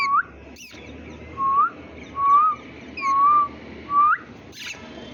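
An Indian ringneck parakeet gives five short, clear whistles, rising or level, about one a second, sounding humanlike over a steady background hiss.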